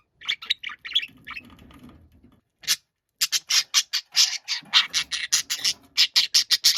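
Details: Pet budgerigar shouting angrily and noisily indoors: a few short chirps, a pause, then a fast run of loud, harsh, buzzy squawks in quick succession, each burst short and abrupt, with faint low room noise in the background.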